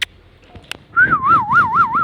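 A rose-ringed parakeet gives a clear warbling whistle, a single tone wobbling up and down about five times in one second, after a few faint clicks.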